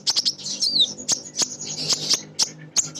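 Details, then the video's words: Female crimson sunbird calling for males, used as a lure to get other birds singing: rapid, thin, high chirps and twittering with a quick downslurred whistle, set among sharp clicks. "Konin Betina Gacor‼️ Nyrecet Nembak Cocok Untuk Pancingan Burung Bahan"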